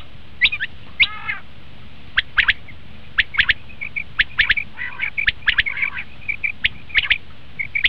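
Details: Common quail calls, used by hunters as a lure, in sharp clipped notes given singly and in quick clusters of two or three, with occasional brief buzzy rattles, repeated about once a second over a steady faint hiss.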